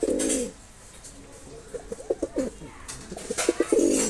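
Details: Low rolling coos from a Mosaldom pigeon, a loud burst at the start followed by two stuttering phrases of rapid pulses that build into a throaty swell.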